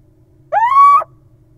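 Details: A little owl in a nest box occupied in June by young nestlings gives one clear, rich half-second note that slides upward and then holds steady, against a quiet background hum.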